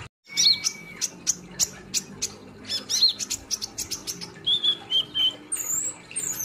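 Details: Caged sunbird, locally called kolibri Ninja or konin, in full song: quick bursts of high sharp chirps and metallic squeaky notes, then a few short whistled phrases and a thin rising squeal near the end.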